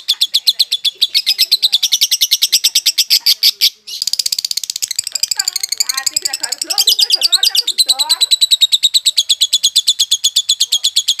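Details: A violet lovebird pours out a long, rapid, high chatter of shrill pulses, about ten a second, with one brief pause; faint lower voices murmur partway through.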